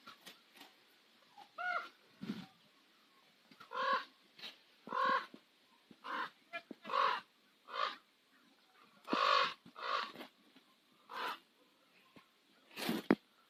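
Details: Ravens on Nose Hill in Calgary at sunset make a scattered string of short, croaking and clucking calls at varying loudness, mixed with sharp clicking knocks.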